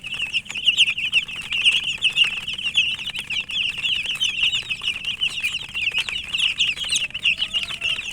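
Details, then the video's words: A crowd of chicks calling without pause: bright, high, quickly repeated peeps blend into a busy chatter, while a low background hum runs beneath. "Murgi chicks Chirping sounds"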